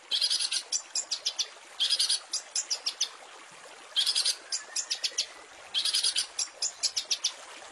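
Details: A long-tailed shrike master recording with varied fill-ins, used to tutor caged songbirds, repeats a pattern of a harsh, high burst followed by a string of quick, clicking ticks, four times at roughly two-second intervals.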